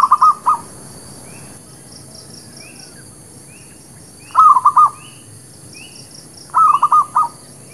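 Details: Zebra dove song used as a trapping lure and for new birds. Three bursts of fast, bubbling staccato coos, with faint, short high chirps repeating in the background.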